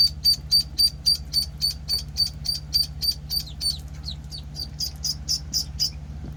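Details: High, clipped peeps from week-old penciled call ducklings repeat at a steady pace of roughly four per second, evenly spaced and bright, with a low mechanical hum in the background.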